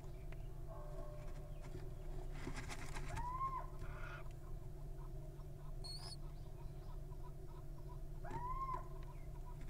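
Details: Wild little owl nestlings give two upslurred, mewing calls several seconds apart, with a burst of scratchy rustling and one high thin squeak between them, over a steady low hum.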